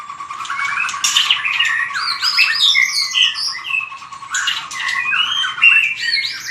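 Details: White-rumped shama fighting song for training: a rich, dense medley of rich whistles, slurs and chips over a low, rapidly pulsing steady tone running beneath throughout.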